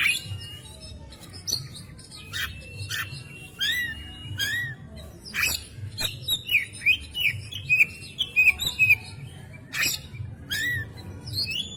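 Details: Oriental magpie-robin tutor song of the gacor nembak style: sparse chirps give way to a quick run of repeated curved whistled notes midway, over a constant low background hum.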